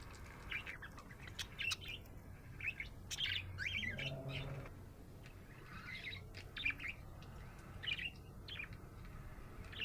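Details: Happy budgerigar chirping in scattered bursts of warbled and clicking notes, with a short low hum-like sound around four seconds and quieter gaps between phrases.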